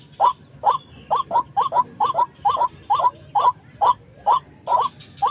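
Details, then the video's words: Lure for trapping white-breasted waterhens near residential homes, birds freed afterward: sharp hooked notes repeated rapidly, sometimes paired, over low steady hiss. "Racik burung ruak ruak galak"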